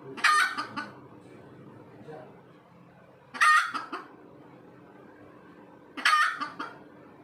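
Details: Red junglefowl hen calling after laying an egg, giving loud harsh cackling bursts roughly every three seconds, each a squawk trailed by a few quick clucks.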